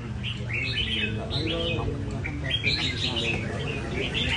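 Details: Red-whiskered bulbul being tamed at a bird café, moving along its perches; lively bubbling phrases of swooping notes come in quick groups amid low hum and murmured talk.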